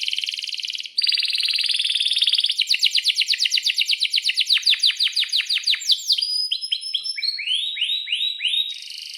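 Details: Vocal Atlantic canary kenari singing long rolled song used to teach young birds: buzzy trill, then a fast series of sweeping downslurred notes repeated nearly three times a second, ending in rising whistled upslurs.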